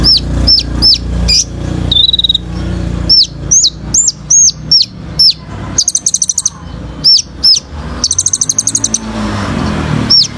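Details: Olive-backed sunbird singing hard, played to get birds singing: a quick run of sharp, hooked whistles, one flat whistle, then several rapid high trills, with a low hum in the background.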